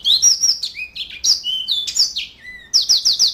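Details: Yellow-fronted canary singing a varied phrase: sustained high whistles, a lower buzzy note, sliding slurs, then a quick series of four repeated descending notes.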